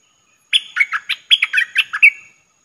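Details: Streak-eared bulbul call played as a trapping lure: an energetic phrase of about ten quick bubbly chirps, ending in a drawn-out trailing note, over a faint constant hum.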